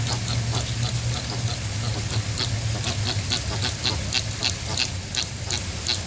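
Chilean flamingos give nasal, goose-like honks in quick repeated bursts, several birds overlapping, over a steady low hum and hiss.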